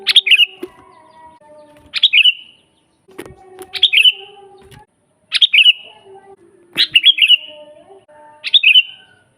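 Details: Sooty-headed bulbul in vigorous song for training captive birds: six short chirpy phrases of quick descending notes with trailing whistles, given about every one and a half seconds, with occasional thumps and faint hum.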